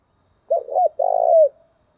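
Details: Spotted dove decoy giving a taut calling coo sequence to lure wild doves: two quick hollow notes run together, then a long rough rolling coo that eases downward, in otherwise silent surroundings.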